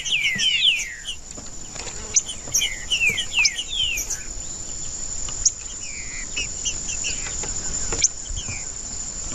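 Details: Trinca-ferro, the green-winged saltator, in 'macheando' song meant to warm up a bird to sing: short bursts of falling whistled slurs at the start and middle, quieter notes between, with a constant high insect drone behind.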